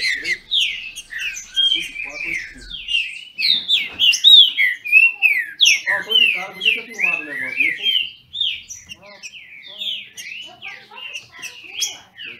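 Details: A long burst of dueling song from captive Green-winged Saltators kept by a Brazilian breeder. Overlapping downslurred whistles run almost continuously, roughly one and a half notes per second, with a low buzzy voice-like sound midway.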